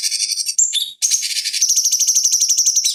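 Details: Cucak cungkok bulbul, master training recording for fighting birds: harsh high chattering bursts, a brief pure whistled note, a short gap, then a fast rhythmic run of repeated buzzy pulses under a thin whistle.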